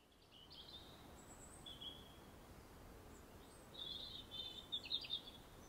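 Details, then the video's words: Aggressive robin song in an English nature garden: thin, high, squeaky phrases, first spaced apart, then a rapid jumbled burst of sharp notes near the end, over a steady low background hiss. "Aggressive Robin Song"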